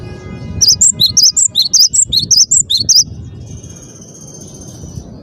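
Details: Cinereous tit (gelatik batu) delivering a quick run of about a dozen bright, high two-note whistles, followed by a faint steady tone.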